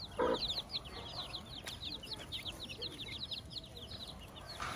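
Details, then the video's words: Farm hen accompanied by her chicks; a brief low cluck opens, then a steady stream of shrill, falling chick peeps fills the rest. "sounds of the farm. Hilda the hen with her chicks"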